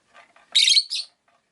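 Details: Rosy-faced lovebird, one of five caged indoors by a window: soft low chatter, then a loud, grating, buzzy chirp lasting a quarter second, followed by a shorter, softer squeak.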